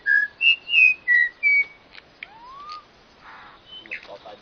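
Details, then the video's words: Five loud, clear whistled notes at varied pitches open the passage, followed by a soft low rising whistle and a few quieter rustling and chirping sounds. "suara burung yg sangat keren"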